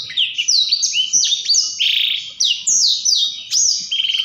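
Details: Energetic Blackthroat song in the ngerol rolling style, with bright high descending whistles. A lower buzzy burst occurs midway, and the clip ends with a fast stuttering trill.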